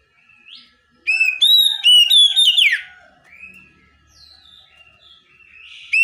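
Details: Oriental magpie-robin song packed with varied phrases: soft opening whistles, a fast stuttering series of bright notes collapsing into a falling buzzy slur, then faint warbling.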